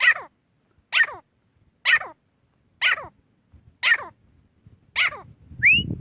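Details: Grey francolin series of six harsh, descending notes delivered about once a second, closing with a single sharply rising whistle over low background noise.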